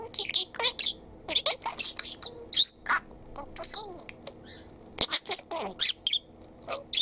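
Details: Pet male parakeet babbling imitated words, with rapid clusters of hissy, consonant-like bursts and faint squeaks, pausing briefly before starting a new run of chatter.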